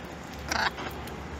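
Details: Wild blue-and-gold macaws gathered to eat sunflower seeds at breakfast; one short harsh, broadband squawk lasting about a quarter second, with a fainter follow-up note, over steady low background hum.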